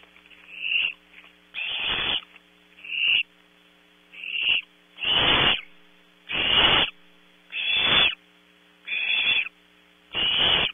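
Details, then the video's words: Barn owl owlets squabble over prey brought at 3 am to their cavity at Audubon Starr Ranch, California: a rapid string of about ten harsh snoring screeches, some shorter, some longer, overlapping callers with brief gaps. "Competition for and eating of 0300hr prey, #5 looks for scraps - Audubon Starr Ranch Barn Owls"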